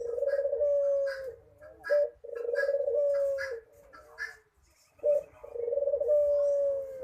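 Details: Dove cooing in a manggung performance: long, steady, low hums held for about two seconds each, with a short rising note between them and a pause before the phrase repeats. Faint chirps from other birds are heard behind.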